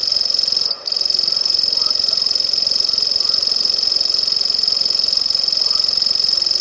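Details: A passerine warbler of the genus Locustella reels on and on in a dry, high, evenly pulsed buzz resembling an insect, pausing only once for a moment near the start.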